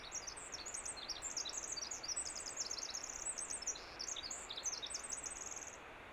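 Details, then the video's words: Winter wren on Vancouver Island singing in spring: a long, rapid song of high tinkling notes and trills that runs on for several seconds over a steady background hiss. "Winter Wren Sings"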